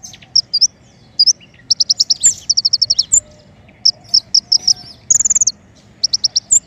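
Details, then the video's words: King konin song used to lure birds for trapping: bright high chirps and quick rattling runs of notes, with one brief buzzy trill near the end and scattered sharp ticks. "PIKAT KING KONIN SUARA PANCINGAN"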